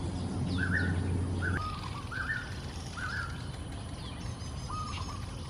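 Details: Wild golden-backed weavers at a nest-building site in pond-side trees, Singapore, early morning: several wavering, slurred mid-pitched notes in quick succession, then fainter chatter, with a low rumble that drops away early on.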